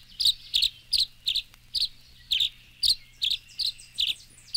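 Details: Tree Swallow twittering steadily, with paired high chirps repeated roughly every half second for the whole stretch. Each note is sharp and liquid, with a faint low hum underneath.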